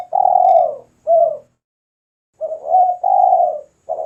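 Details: Spotted dove cooing vigorously, a recording for bird luring and song training: a long, warm falling coo and a shorter one, then silence, then a rising note leading into another extended coo.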